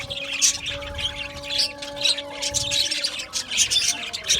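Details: Busy twittering from Australian budgerigars in a colony aviary, quick high chirps and short whistled squeaks over faint sustained tones.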